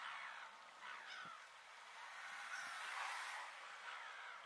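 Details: Little Gulls in the Camargue, France, in August 2014, call in an overlapping chorus of short, nasal, slightly squeaky notes, with several birds calling at once throughout.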